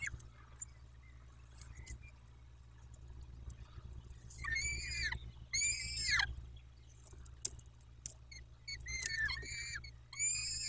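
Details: Peregrine falcons at the Dobra nest in Poland, 14 May 2021, afternoon; after quiet clicks, two loud arching harsh notes, then a few shorter rising-falling wails near the end over a low hum.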